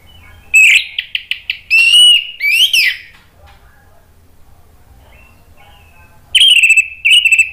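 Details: Singing orange-headed thrush in ngeplong style, meant to trigger a silent bird to reply; a rapid series of short clipped notes, then long rich whistles with upward sweeps, a long pause, then more whistled phrases.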